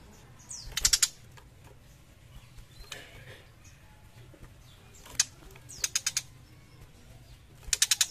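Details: Young tiger shrike in active song gives three separate volleys of rapid, grating, evenly spaced pulses, each a few notes long, separated by quiet gaps with faint high slurred chirps.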